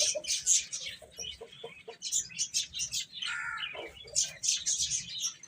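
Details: Young chicks eating and at play, making rapid, high chirps and short peeps in clusters, with a clearer descending chirp near the middle among crackling feeding noises.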